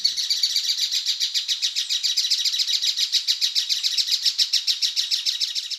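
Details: Buff-necked Ibises gathered together at a roost give loud, harsh cackling calls in a rapid, steady chatter of about three to four notes a second, like raucous laughter.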